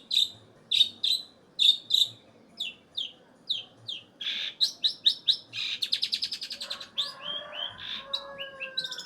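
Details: Long-tailed shrike song: quick repeated high chirps that speed into a dense rapid trill, then break into varied sliding whistled notes and a few harsh rasps.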